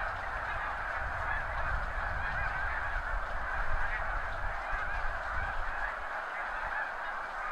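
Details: A huge flock of snow geese, thousands strong and spread over hundreds of meters, lifts off at once from fields by the seaway during high tide in spring. Countless overlapping nasal honks merge into a steady roar, with low rumbling beneath.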